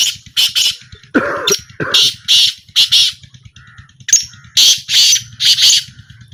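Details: Black francolin calling during a trial: repeated loud, hoarse, buzzy bursts. A lower, rougher sound breaks in around the second phrase, while a rhythmic low throb runs steadily beneath.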